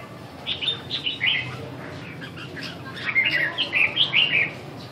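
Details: Red-whiskered bulbul at practice, giving two runs of lively whistled notes, the first a brief cluster of rising chirps, the second a longer rolling string of bright, rippling phrases, with constant low background hum.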